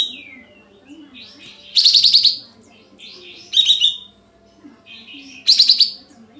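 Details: Sooty-headed bulbul with tail opened, full filler song serving as a lure so other birds answer in shooting style. Three loud rattling bursts repeated roughly every two seconds, soft whistled notes in between.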